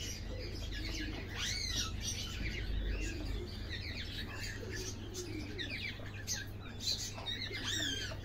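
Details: Flock of Golden Buff chickens, a hybrid breed kept for brown eggs, giving continuous overlapping high chirps and curved peeping notes, with a few lower soft notes and a steady low droning hum underneath.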